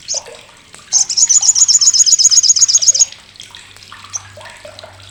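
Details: Sriganti, the olive-backed sunbird, delivering the loud, rough crecetan used to train contest birds: a two-second run of fast, evenly repeated high notes, flanked by brief chips and quieter calls of other birds.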